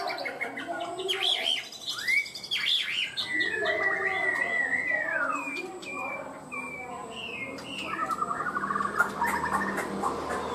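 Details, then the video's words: Chinese hwamei kept as a cage bird, pouring out a long varied song of slurred whistles, swooping falling notes and softer mid-pitched chatter, with brief clicks in the room. "Chim họa mi hót cao cầu, ra mỏ nhanh ổn định"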